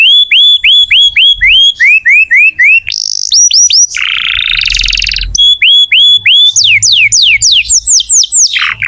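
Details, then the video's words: Singing canary, played to prompt young or silent canaries: series of clear rising whistled notes repeated about four per second, broken by a loud sustained buzzy roll, then faster sweeping whistles at the end. "Kenari gacor untuk pancingan kenari muda atau macet bunyi"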